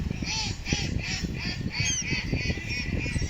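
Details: A flock of ducks gives steady, evenly spaced honking quacks, roughly three each second, with a deep rumbling noise underneath throughout.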